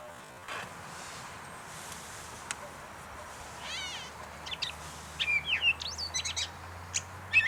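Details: Gray catbird at North Tetagouche, New Brunswick: a cat-like mew midway through, followed by a string of varied squeaky chirps and short whistled notes that grow louder toward the end.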